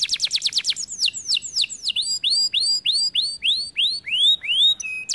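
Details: Canary singing loudly: quick repeated high notes, then a long sequence of clear downward-sweeping whistles about three per second, ending in a short level whistled note.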